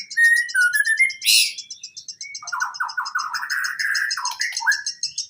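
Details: White-rumped shama song on a training recording for reluctant singers: sliding whistles and a sharp burst, then a rapid rattling warble of stacked notes, set against a steady high ticking series repeated several times a second throughout.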